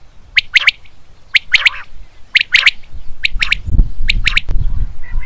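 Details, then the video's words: Common quail (batair) calling naturally: crisp three-note phrases in the 'wet-my-lips' pattern, repeated about once a second, with a low rumbling background. "common Quail natural calling sound / Batair ki Awaz"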